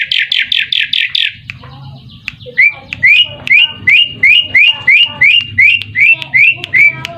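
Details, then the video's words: Lure song of an Asian pied starling, meant to make other birds call back. A quick run of buzzy notes gives way to a steady series of short upslurred whistles, about three per second, with a faint low hum beneath. "Suara Pancingan Semua Burung Jalak Suren di jamin nyaut ikut bunyi"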